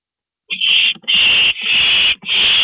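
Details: Owl at its nest during a parent's nighttime stopover, 2:40 AM, April 22 2012: three long, harsh, breathy hisses, each about half a second, separated by brief gaps, with no other sounds.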